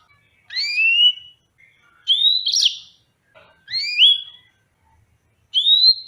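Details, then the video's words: Yellow-fronted canary repeating bright, clear upward-sliding whistles, some doubled with a second note above, at intervals of about one and a half seconds against an otherwise quiet background. "Tropical Bird Calls to Relax finch Serinus mozambicus"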